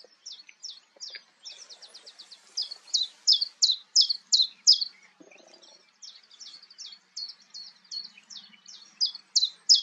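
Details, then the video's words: Common chiffchaff calling at Goldcliff, Newport Wetlands, on 11 April 2022: high, clipped notes about three per second, alternating slightly in pitch, with a brief pause midway, in an otherwise quiet background. "A Chiffchaff Calling"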